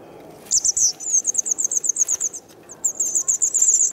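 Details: Nestling White wagtails two days before fledging, with parents feeding them, Kumiyama, Kyoto Prefecture, 3 June 2019; a burst of shrill chirps speeds into a rapid series of short high notes, breaks briefly, then resumes as a fast, dense chatter.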